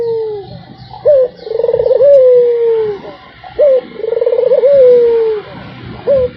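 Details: Barbary dove giving its cooing without pause. Each phrase is a brief clipped note, then a drawn-out trembling coo sinking in pitch, repeated about every two and a half seconds over low hum and hiss.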